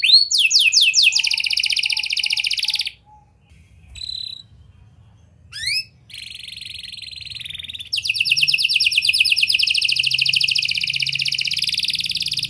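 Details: Canary song used to encourage young canaries to sing: swept notes and high buzzy trills, a quiet gap with short isolated notes, then a long loud rapid trill to the end.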